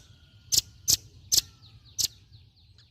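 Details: Four crisp, very high chip notes from a velvet-fronted nuthatch, roughly evenly spaced, with faint thin whistles and low hum behind.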